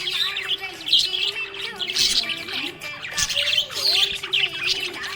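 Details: Happy budgerigar chirping: dense, busy bursts of high, scratchy twittering and short warbled notes, nearly continuous, over steady tonal music in the background.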